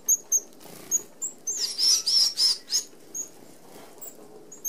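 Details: Red-browed Finches feeding as a flock at a mesh-screened open aviary feeder in Australia; sparse thin high peeps, then a brief burst of louder overlapping high squeaky notes, with faint fluttering between calls.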